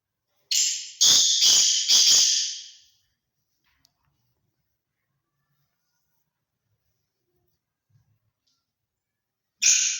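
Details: Grey francolin (Francolinus pondicerianus), a large Sindhi bird, gives loud, harsh, ringing bursts of about three quick shrill notes, then falls silent for several seconds before starting again.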